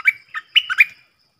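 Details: Stripe-throated bulbul used as a decoy for training young birds and luring wild ones: one brief, rich phrase of four or five liquid, swooping notes, strong and clear.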